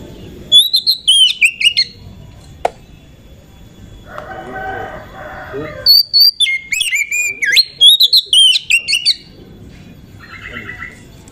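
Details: Oriental magpie-robin singing as a lure to excite other magpie-robins: two bursts of fast, sweet whistles and sliding warbles, separated by a harsher, buzzy lower call and a sharp click.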